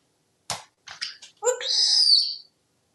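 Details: Pet parrot, ignored after dancing, makes a few short clicky chirps and then a long, harsh, high squawk lasting about a second, indoors with no other sounds.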